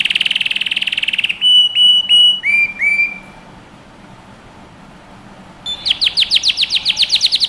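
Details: Canary song used to train young birds: a rapid buzzy trill, then drawn-out pure whistled notes, some descending, a pause of about two seconds of near silence, then a quick run of repeated rising chirps.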